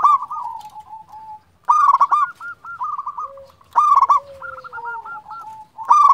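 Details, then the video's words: Local zebra dove in full voice, calling, used as a lure for other doves: bursts of rapid, bubbly cooing trills followed by evenly spaced rolling notes, repeated about every two seconds, with a softer lower slurred note. "Perkutut lokal gacor Juara memanggil"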